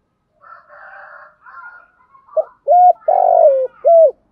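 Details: Spotted dove suited to decoy use, singing a 'thúc gù' phrase in 'giọng thổ' voice. Quiet throaty murmurs come first, then a sharp note, a level coo, a long descending coo and a final coo.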